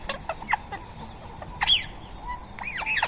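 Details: Wild Rose-ringed parakeet at a feeding in Coimbatore gives harsh, squawky calls with sharp rising and falling inflections, several notes over three seconds, with short chirps between.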